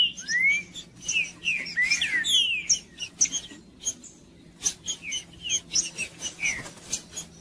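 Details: Green-winged Saltator (trinca-ferro) song used to warm up a quiet bird, from the tournament-breeding scene: bright whistled slides dropping in pitch in the first half, then a sparser stretch of short whistles and crisp clicks, faint steady hum behind.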